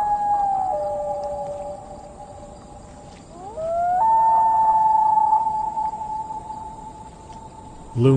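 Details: A Common Loon at dusk on a still lake gives its long mournful wail, a contact call to its mate ('I'm here, where are you'): a sustained pure note that drops, then breaks upward into a higher held tone.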